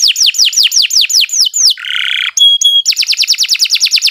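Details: Canary lure song for bird training: a string of descending whistles, then a harsh buzzy rattle, two short pure whistles, and a fast rhythmic trill.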